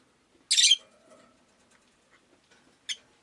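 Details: Rosy-faced lovebird letting out one loud, harsh, broad squawk, followed after a pause by a brief, thin chirp.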